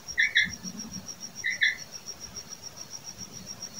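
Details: A wild female common quail gives two clipped double notes about a second apart, then falls quiet, while a continuous high-pitched insect drone carries on behind.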